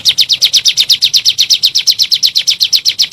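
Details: Lure call of bar-winged prinia, 'nembak' style meant to stir kept birds into song: bright, piercing chips repeated evenly, roughly seven a second, for the whole stretch.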